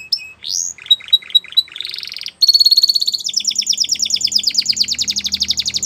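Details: Spanish Timbrado canary in a training song: a rising whistle, clipped repeated chirps, a steady high rolling trill and a long rapid pulsed rattle, with a faint low hum.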